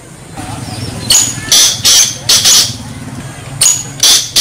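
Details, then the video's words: Black francolin (black partridge) giving loud, harsh, grating notes in a quick rhythmic phrase, repeated after a short pause, over a low engine hum. "black partridge"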